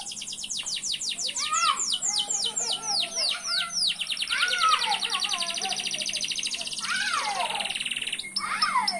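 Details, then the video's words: Canary in full song, fast series of downward-sweeping notes mixed with buzzy rolled trills and lower twittering phrases, delivered continuously and energetically. "Burung kenari gacor"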